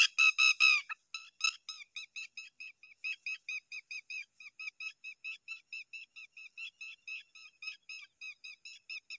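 A Zitting cisticola chick gives a rapid series of thin, high, squeaky begging notes, about three each second, after a louder burst of calls at the start.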